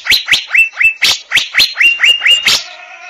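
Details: Asian fairy-bluebird with about eleven quick, rising whistles in under three seconds, some sliding into a drawn-out high tone, ending abruptly.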